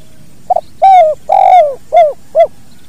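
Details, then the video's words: 'Kuk dua' song of a spotted dove, recorded naturally for training other birds. One stuttered note, two long, full coos sliding gently down in pitch, then two short rounded coos, closely spaced, with faint steady background hum. "SUARA BURUNG TEKUKUR KUK DUA"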